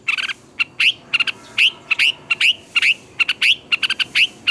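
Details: Red-whiskered bulbul morning training song with twisting double notes. Loud upslurred whistles come in quick pairs and triplets among chattering clipped chirps, forming lively, fast-paced phrases.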